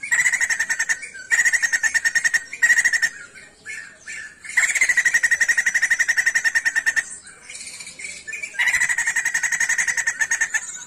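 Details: Sijambul songbird from Indonesian bird-keeping circles, singing vigorously: long bursts of rapid, harsh rattling notes repeated in fast trains, broken by short pauses and a few twisting chatters between bursts.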